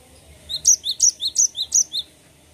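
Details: Rolling Cinereous tit song of bright alternating high and low whistles, about eight notes in a tight even sequence lasting one and a half seconds.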